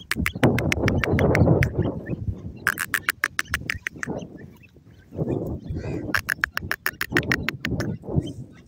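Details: Female grey francolin (Dakhni teetar) giving two bursts of rapid, harsh, evenly repeated notes, each lasting about a second, against heavy low rumbling noise like wind or handling.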